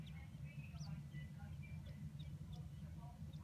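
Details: Adult captive Chinese blue-breasted quail, black-and-white Darth Vader variety, in an indoor sandbox giving happy sounds: short thin chirps and quick rising whistles, scattered and irregular, over a steady low hum of a background TV.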